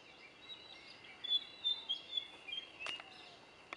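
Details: Bee-eater on the Kumana–Panama Kudumbigala jungle path, Kumana National Park, Sri Lanka, giving rolling, liquid trilled notes in quick repeated bursts, fairly high and overlapping, with a couple of sharp clicks near the end.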